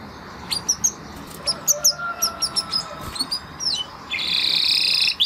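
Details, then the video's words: Spanish Timbrado canary gives a run of thin, high, slurred whistles and chips at irregular spacing, ending in a loud buzzy high roll, with steady background hiss. "Canary Sound Effect - Canary Singing Video"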